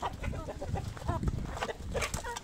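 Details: Domestic chickens at feeding time, several birds giving short nasal clucks and brief rising calls in quick succession over a steady low rumble of farmyard noise and shuffling.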